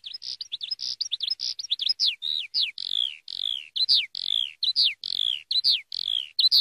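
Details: Eurasian skylark singing a rapid, unbroken stream of clear whistled notes, many sliding downward, high-pitched and tumbling over one another with barely a pause, on a silent background.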